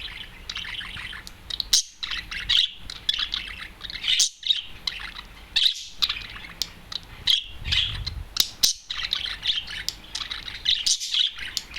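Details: A lone adult male budgerigar, a loud and talkative bird, sings outside its cage while perched on a television: a long run of rapid twittering, clicks and scratchy high notes, punctuated by brief sharp squeaks.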